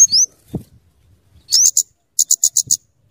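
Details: Scarlet-headed flowerpecker song used for luring and tutoring birds: a few very high thin upslurred notes, then a quick series of sharp ticking chips around the top of the range, with brief gaps between.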